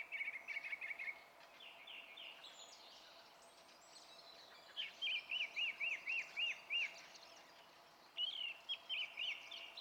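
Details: Song thrush singing on 27 April 2016: a fast stuttering phrase repeated several times, then a loud whistled note repeated seven times in a steady series, and another repeated triplet near the end.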